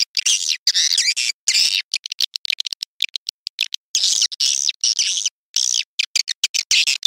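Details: Lure sound for swiftlet farming: bursts of shrill, warbling twitters alternate with quick sharp clicks and abrupt gaps, all high-pitched and fast.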